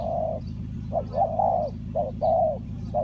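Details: Spotted dove used as a lure for wild doves in trapping, Ninh Thuận: rich low coos, brief notes followed by longer drawn, slightly arched ones, repeated steadily over a constant low background rumble.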